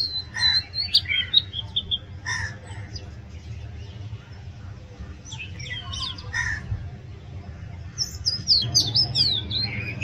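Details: Loud, varied song of an Oriental magpie-robin: rapid clusters of sweet whistles and sharp high slurred notes, with a quieter pause midway, then a burst of bright rising and falling phrases, over a constant low background hum.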